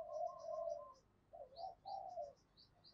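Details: Spotted dove in the thổ pha voice style giving soft, drawn-out coos followed by a couple of shorter, quieter notes and a brief click at the end.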